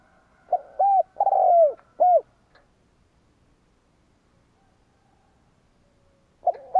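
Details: Decoy spotted dove cooing to stir up rival birds: one complete phrase of mellow coos, the middle one long and rolling downward, then about four seconds of silence before the next phrase begins.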